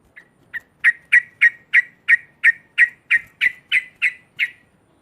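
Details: Sooty-headed bulbul giving a loud cackling song meant to provoke rival birds: a run of about thirteen harsh, clipped notes in quick succession, building in loudness and then holding steady, with a quiet background.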